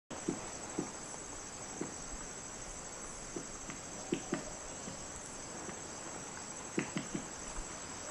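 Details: Red-necked woodpecker in the rainforest at Sadiri Lodge, Madidi National Park, Bolivia, giving its double knock: sharp dry knocks, several in quick pairs, spaced several seconds apart over a steady high insect hum.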